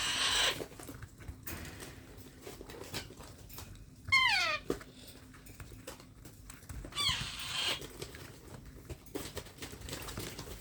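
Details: Baby parrot being hand-fed indoors gives two loud, harsh, downward-sweeping calls with rich overtones, about three seconds apart, between quieter rustling and clicking handling noises.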